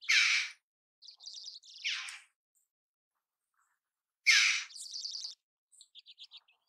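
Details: A red-billed chough utters rough, grating calls, two loud bursts about four seconds apart, each followed by quick stuttering notes and a softer descending call.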